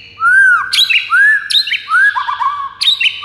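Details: White-rumped shama singing to goad rivals into song: three clear, rising-then-falling whistles, each followed by a sharp, high note and a short warbled tail.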